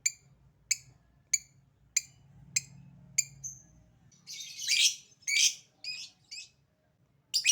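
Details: Lovebird calling: six evenly spaced sharp ticks roughly every 0.6 seconds, then a run of harsh, buzzy squawks and short chirps of uneven length.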